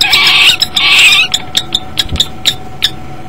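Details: Male common kestrel calling for his mate at the nest, nest camera recording from January 2012; a loud harsh rasping burst is followed by a series of brief high sharp notes at uneven intervals.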